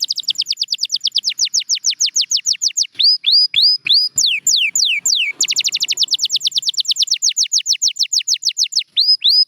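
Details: Canary song offered for training a bird's singing: long series of rapid, evenly repeated whistled notes, broken midway by slower rising and falling slurs, then the quick repeated notes resume.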